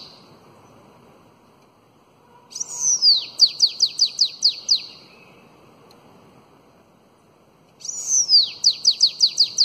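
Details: Two phrases of bananaquit song in the elongated Belgian style, meant for training young birds, about five seconds apart: each begins with a high arched whistle, then a fast series of short descending notes.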